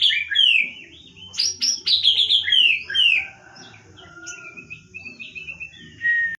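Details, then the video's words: Wild white-rumped shama from the forests of Lampung, singing fast slurred whistles and chattering notes, then a run of thin, high sustained whistled notes. "murai hutan Lampung nembak cililin"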